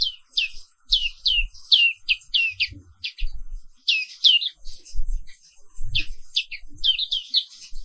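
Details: Morning song of a black-capped white-eye (Papua 'wiklus' type), a dense run of quick high chirps, each slurring downward, in clusters of two or three, with soft low knocks in the background.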